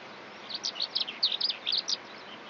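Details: Eurasian skylark song: a fast, continuous stream of high, bright chirps and twittering warbled notes, rising and falling, over a steady hiss of background noise.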